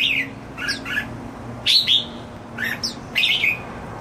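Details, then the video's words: Pet red-whiskered bulbul singing happily indoors: short clear whistled phrases rising and falling, with bright slurred notes in separate bursts about every half second to second, and quiet pauses between them. "My Jambul happily singing ~ 夜莺高歌欢唱"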